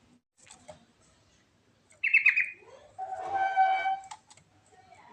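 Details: Natural rolling song of a yellow-vented bulbul with varied phrases: a burst of bubbly, jumbled notes, then a steadier, drawn-out tone rich in overtones lasting about a second, with faint scattered notes between.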